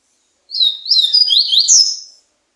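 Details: High-pitched twittering song from a slate-colored seedeater: fast tumbling slurred notes ending on a brighter rising flourish, about one and a half seconds long, with no other sounds.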